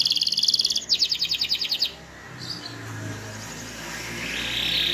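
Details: Small-bodied canary, described as a loud, melodious and varied singer, used to draw song from other birds: two bursts of rapid, evenly pulsed high trills fill the first two seconds, then faint scattered notes over steady hiss.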